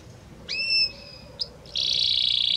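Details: Belgian canary giving a clear rising whistle held steady, a brief click-like note, then a loud high buzzing trill that runs on evenly.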